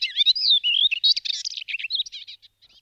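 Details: Melodious warbler delivering a fast, run-together babbling warble of varied high whistled slurs and scratchy chattering notes, packed tightly for nearly three seconds and thinning to softer fragments at the end, with no other sounds in the background.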